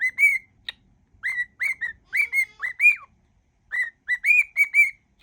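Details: Cockatiel kept at home whistling a song medley; short phrases of two to four clear whistles, some rising, some falling sharply, separated by pauses in a quiet room.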